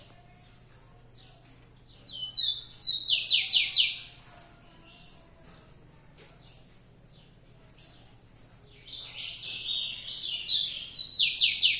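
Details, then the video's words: ['Two songs of a fibrado rufous-collared sparrow, several seconds apart: high whistled introductory notes lead into bursts of fast, repeated downward-sweeping notes, with isolated whistles between and a constant faint hum.'] "Tico tico fibrado"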